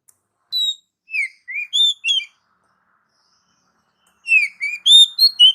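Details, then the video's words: Oriental magpie-robin song meant for luring pet birds: melodious whistled notes, some falling and some rising, in two loose phrases separated by a two-second pause. "MP3 master burung kacer"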